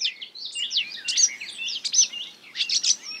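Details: Marsh warbler singing while imitating other birds, a rapid, unbroken run of varied chirps, short whistled slurs and buzzy notes, changing every fraction of a second, high-pitched with a few harsher bursts, against a quiet background.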